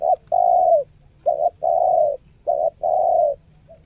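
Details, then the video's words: A spotted dove on its second training session coos in close sequence. A short note precedes each long steady coo, three such pairs in quick succession, with a faint closing note and a quiet low rumble underneath. "NEKAN NGUKU,SELANG NGUKU MERATUS NGUKU"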